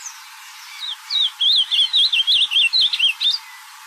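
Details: Singing ultramarine grosbeak in nature, delivering one brisk phrase of about a dozen wavering, slurred whistles that bounce up and down, with light ambient hiss.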